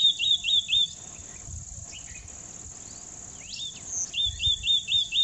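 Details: White-naped tit singing short, quick phrases of repeated two-part whistled notes, about four per second, in bursts at the start and end, over a steady high insect drone with brief chirps between.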